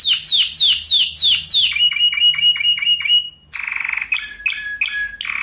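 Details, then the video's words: Spanish Timbrado canary in song, recorded for training other canaries: a run of falling swept notes, repeated short clicks over a held tone, then a buzzy low roll and paired chip notes. "SUARA KENARI SPANISH TIMBRADO TEMBAKAN NGEROLL RAPAT COCOK BUAT MASTERAN DAN PANCINGAN KENARI ANDA"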